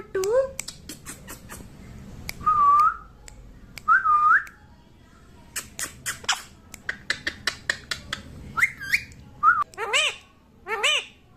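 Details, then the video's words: A baby parrot, said to be talking and saying mummy, makes looping, rising whistled syllables and wavering upward slurs mixed with many dry clicks and taps, close and loud in a small indoor room. "qute baby parrot talking mummy"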